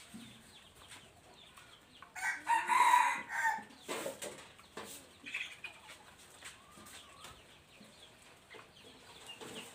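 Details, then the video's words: Wild red junglefowl, a three-year-old bird, recorded 26 January 2023: one hoarse crow of several rapid syllables breaks through after two seconds, followed by rustling, faint chirps and scattered knocks in a noisy outdoor background. "qaib qus laus 3xyoos .ไก่ป่า100 3ปี"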